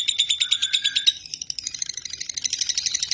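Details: Fighter lovebird singing its ngekek, a recording played as a lure to get other lovebirds singing: rapid high chattering notes, about three a second, first a lower band that drops away near one second, then notes rising slightly higher.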